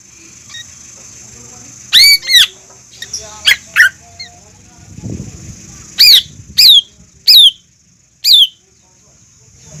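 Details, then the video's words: Lure song from a greater green leafbird, used to provoke a learning leafbird into song: sparse loud whistled notes, each a quick rising-then-falling slur, spaced about a second apart, with a soft low rustle midway. "PANCINGAN CUCAK IJO GACOR UNTUK MEMANCING CUCAK IJO BAHAN BELAJAR BUNYI"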